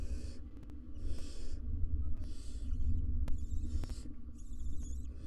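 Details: Barn owl family with three nestlings and both adults in a wild nest box, seen on live cam; loud hiss bursts followed by two stuttering, rattled chitter calls, with strong low rumble throughout.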